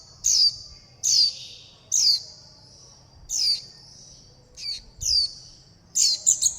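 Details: Young warbling white-eyes calling for their mother and flock and begging for food: high, thin chirps that slur downward, given in separate bursts about once a second, with a quick double note at the end.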